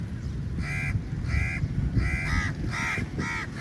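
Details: Crows massing at feeding time; loud, nasal, harsh caws repeated about every two-thirds of a second, some overlapping from more than one bird, above a low rumbling background.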